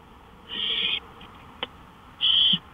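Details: Owl out on a porch at 1:53 AM, May 5, 2013. Two loud, rough screeching hisses about two seconds apart, with a small click between them and quiet background hum.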